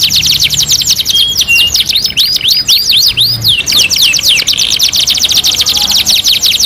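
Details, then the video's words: 2-in-1 canary master song: a long unbroken stream of very fast high chirps and looping up-and-down whistled sweeps, shifting between tight trills and broader swooping phrases, over a faint low background hum. "MASTERAN KENARI 2 IN 1 | CANARY SINGING"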